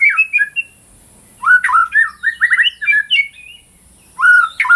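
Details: Loud White-rumped shama training song: scratchy chirps, then a rich run of looping whistles and buzzy notes, a quiet moment, and a bold downslurred whistle to close.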